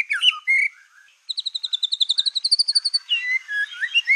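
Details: Black-tailed white-rumped shama in full song, used to provoke other shamas: sharp chipping notes and a short level whistle, then a fast series of about twenty bright repeated notes slowly rising, ending in slurred, wavering whistles.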